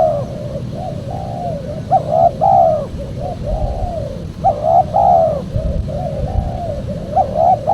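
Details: Spotted dove coos meant to attract wild doves: a continuous run of mellow hoots with louder two-part phrases, rising then falling, roughly every two and a half seconds, over faint low noise.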